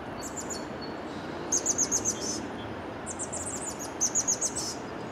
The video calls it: Chestnut-backed Chickadee